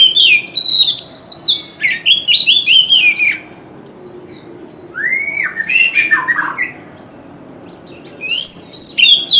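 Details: Male White-rumped shama in a singing contest, forest-style voice: loud varied whistled phrases, a pause with soft chips, then deep sliding whistles and more bright song.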